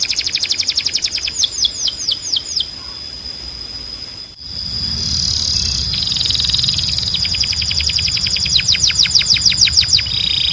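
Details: Canary tutor song for training young male canaries: short bursts of rapid descending trills open and close the passage, with a steady hissing, tonal wash and a brief dropout in between.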